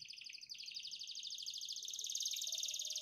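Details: Caged canary song in a long unique cengkok style, meant for training birds: a continuous high rolling trill, quieter than other sections, over a faint background hiss.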